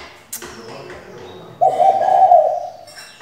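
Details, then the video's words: Female spotted dove decoy meant to prompt males to sing; after a sharp tap and background murmur, one long, husky, vibrating coo of about a second sounds out. "Cu gáy mái mồi căng đét thúc bổi mở mỏ ngay!"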